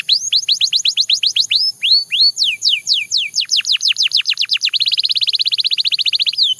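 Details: Belgian canary pouring out looping whistled sweeps, rising then falling, a few slower and lower. It closes with a long fast buzzing trill.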